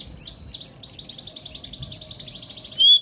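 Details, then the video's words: Oriental magpie-robin singing: a few swooping whistles lead into a fast, buzzy rattling trill, ending on a loud clear whistle. "Kacer jenis apapun jika dengar suara ini langsung RESPON"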